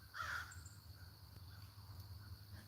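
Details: Wild neighborhood crow calling in the background near a yard where ducks roam free; one short, harsh caw right at the start, then only a steady low hum.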